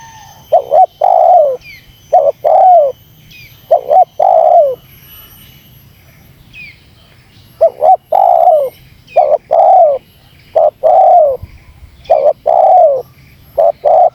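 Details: Spotted dove challenge calls used to stir up wild doves: many quick double notes and falling coos in irregular bursts, a brief pause midway, and scattered high chirps of other small birds.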